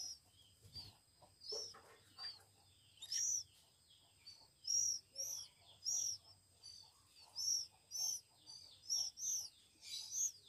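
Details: Week-old Oriental magpie-robin chicks calling for food during hand-feeding: scattered thin squeaks at first, then a steady run of loud, piercing chirps, often paired, close to one per second.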